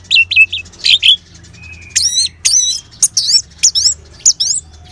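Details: Orange-headed thrush singing in the ngeban style, played as a lure to get caged birds singing: loud, varied whistled phrases with sharp up-and-down slurred notes in short bursts, several quick notes then pauses, over a faint low hum.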